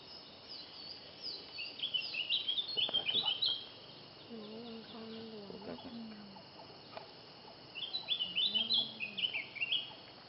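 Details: Spectacled Bulbul from Thailand, a xeno-canto recording: clusters of thin, high, rapid chirps at the start and again near the end. A lower, hoarse two-part sound intrudes in between, with faint clicks.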